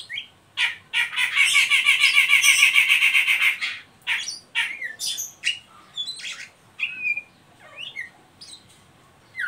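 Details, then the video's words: Ngeriwik call of an Oriental magpie-robin, meant to stimulate young birds into song; opens with a loud harsh rattling chatter of rapid repeated notes, then scattered sharp chirps and brief whistles. "Suara burung Kacer ngeriwik pancingan ampuh buat Kacer bahan"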